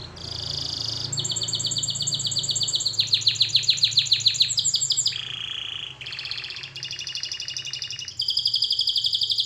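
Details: Melodic canary song for training, moving through successive trill sections at different pitches, from a high rolling trill to pulsed mid-pitch rattles and a lower rolled tour, over a steady faint hum.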